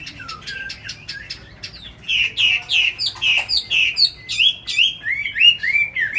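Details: Tame caged Chinese hwamei from Hanoi, Vietnam: sharp clicking ticks lead into a steady series of loud slurred whistles, each swooping down then up, delivered about twice a second and growing brighter.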